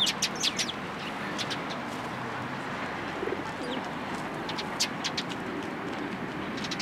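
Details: Sparrows among cherry blossoms at a Tenmangu shrine on 1 April 2023, giving short, sharp chirps in scattered bursts over a steady hum of urban background noise.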